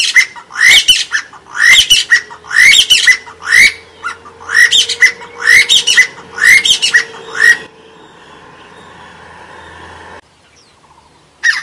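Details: A long run of harsh, croaking squawks from a white-breasted waterhen, about once a second for some eight seconds over a faint steady hum, then low background noise and near silence.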